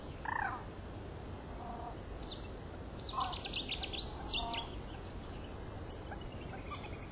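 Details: Nesting Great Crested Grebes at the nest, eight days into nesting, filmed with a Canon HF-G30: short nasal, harmonic calls in four separate bursts about a second apart, with high twittering of small birds around them and steady background noise.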